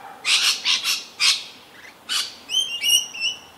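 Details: Rainbow Lorikeet, an Australian parrot (Trichoglossus haematodus), calling ceaselessly during frantic, acrobatic feeding: a run of harsh, broad screeches, then a few thin, clear whistled notes near the end.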